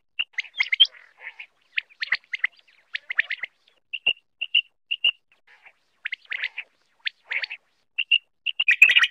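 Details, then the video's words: Quail (batair) call used for hunting: quick clusters of sharp, high chirps and short clear whistled notes, repeated about every second, with no other sounds. "Quail Hunting Sound"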